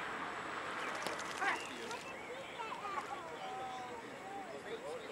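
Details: Black guillemots (tysties) on the Scottish coast in June, during courtship, give thin, high, wavering whistles, some rising and falling in short slurs, over steady rushing wind and water noise.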